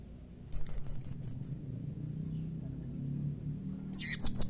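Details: Blue-crowned hanging parrot call used to draw replies from other hanging parrots: a rapid run of six shrill, very high chirps, then a quiet pause before another short burst of piercing notes.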